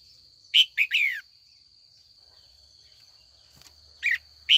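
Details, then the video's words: Female red-whiskered bulbul calling in the afternoon to draw older wild-caught males into competitive song: a three-note bubbly phrase ending in a falling slur, then two spaced chirps, with a steady high whine behind. "Luyện chào mào mái chiều gọi bổi già rừng hót đấu"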